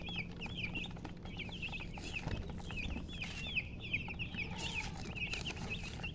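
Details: High-pitched chick chirps in clustered bursts, slurred peeps overlapping, with a background hum and a few soft clicks.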